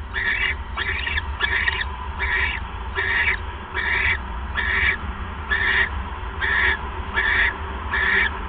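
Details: Nest owl calling during an evening mouse delivery on 1 January 2015; short, rough, squawking rasps repeat steadily at a little over one per second, about a dozen in all, against a low background hum.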